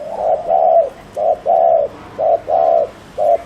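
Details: Loud, close spotted dove cooing rapidly as a decoy for wild doves: hollow two-note phrases, a clipped note then a drawn-out one, repeated about every second.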